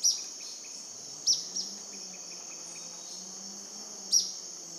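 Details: Purplish jacamar near Shaime, Cordillera del Condor, southeastern Ecuador, recorded at 10am on 5 February 2014: sharp, high, brief notes at uneven intervals, some in quick pairs, over a steady shrill insect drone.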